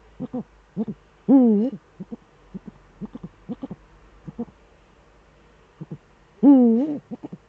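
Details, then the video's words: Eifel nest, December evening, 13 December 2013 at 17:25, with the male Eurasian eagle-owl present: two long, rising-and-falling harmonic calls five seconds apart, framed by scattered short double notes. "Uhu-Duett, Männchen am Horst"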